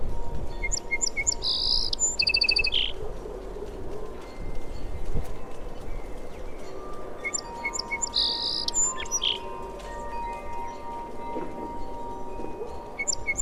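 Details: Sparrow giving two separated bursts of bright chirps and short buzzy notes, several seconds apart, with a constant low hum and faint tonal background between them.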